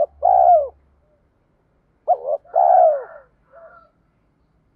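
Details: A cooing spotted dove, with calls meant to rouse untrained birds. Two phrases sound two seconds apart, each with brief rounded notes and a long falling coo. A faint low hum is heard at the start.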